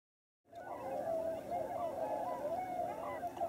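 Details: Wintering flock of Tundra Swans at Lower Klamath National Wildlife Refuge, on the Oregon/California border: after a moment of silence, a dense chorus of many mellow, hooting, wavering calls overlapping continuously.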